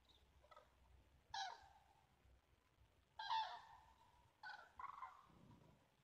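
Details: Cranes calling in autumn under a blue sky in Europe, October 2016, recorded on a mobile phone: three loud, rolling trumpeted calls at intervals of about one and a half seconds, rich in harmonics, over faint background rumble.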